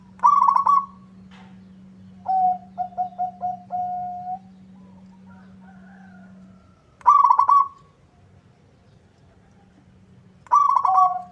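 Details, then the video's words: Eagerly singing local zebra dove whose song is said to draw answers from rivals: rolling, stuttering coo phrases with quick trilled notes ending in a drawn-out coo, repeated every few seconds over a constant low electrical hum. "Suara perkutut lokal gacor bikin nyaut lawan"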